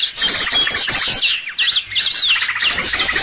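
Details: Recording used as a bird lure for trapping: quick bursts of shrill trilled notes alternating with wavering, slurred whistles, dense chatter from several birds filling nearly every moment.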